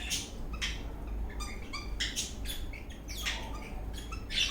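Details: Eastern rosella parrot dancing happily, uttering loud harsh chirps and broadband chattering notes in irregular bursts, with a brief whistle at the close, over background hum.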